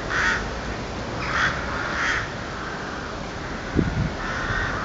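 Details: Crows calling in the dark, described as eerie: three hoarse caws in quick succession, then a pause with a couple of dull knocks, and a last fainter caw.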